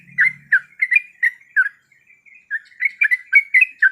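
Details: A breeding-condition female sooty-headed bulbul calls for a male with spaced, slurred chirps, a short quiet stretch, then a tighter burst of bubbly notes.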